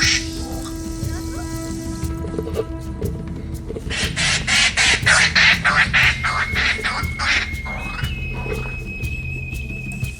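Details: Agitated laughing kookaburras near Patonga bay, Australia, raising a sudden commotion and alerting one another to a monitor lizard after their eggs. Rapid, regular series of harsh cackling bursts that builds, then fades into a thin rising tone.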